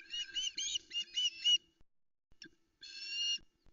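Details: Female osprey on a Loch Arkaig nest calling while waiting for fish at early morning: a quick series of high, slurred chirps, then a brief gap and one longer whistled note.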